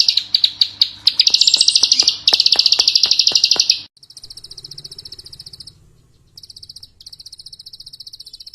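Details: Bird lure call used for training, with rapid high chirps over sharp repeated clicks, then fainter pulsed high trills separated by short gaps, with a low hum beneath.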